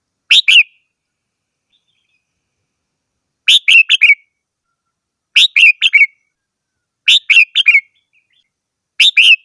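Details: Red-whiskered bulbul singing five bursts of two to four rapid, bright whistled notes, the phrases coming roughly every one and a half to two seconds after an opening pause.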